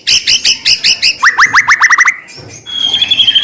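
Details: White-rumped shama song used to provoke another shama: a run of doubled high chips, then a quick series of rising whistles, ending in a softer high sustained trill.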